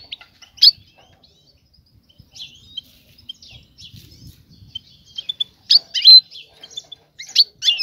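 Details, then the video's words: Female European goldfinch calling the male to mate: scattered high twittering chirps in a quiet setting, louder clustered bursts toward the end. "أنثى الحسون جاهزة, تبحث عن الذكر للتزاوج"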